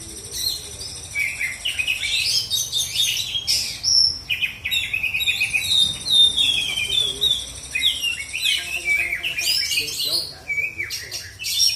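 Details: Oriental magpie-robin (kacer) from South Aceh, Indonesia, singing a loud, varied, high run of sweet whistles, slurred notes and rapid trills, with almost no pauses over twelve seconds. A faint low hum runs underneath.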